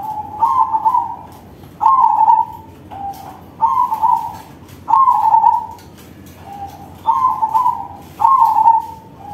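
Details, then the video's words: Big-voiced crossbred zebra dove (perkutut crossing) in song: regular series of about eight short trilled coo phrases, each under a second, alternating louder and softer, evenly spaced. "Perkutut crossing manggung suara besar"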